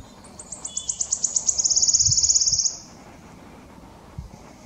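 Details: A singing male wood warbler at Dove Stone RSPB, Oldham, Greater Manchester, on 11 May 2021, gives very high, thin ticking notes that speed up into a shivering trill about three seconds long, with faint low rumbles beneath.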